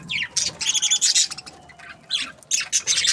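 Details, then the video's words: Happy budgies give bursts of harsh, squeaky chirps and chatter separated by short gaps, while a faint, steady falling tone runs underneath. "Happy budgies chirping sounds"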